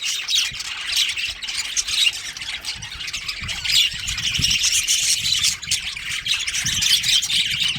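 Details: Budgies kept as a colony, a breeding pair among them, give a continuous wash of shrill chirps and raspy warbling chatter, with low thumps of movement underneath.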